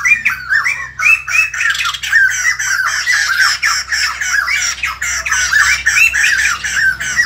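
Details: White-crested laughingthrush singing its morning greeting, loud tumbling phrases of rising and falling whistled notes packed closely together, several rich overlapping voices cackling in a busy, almost continuous chorus.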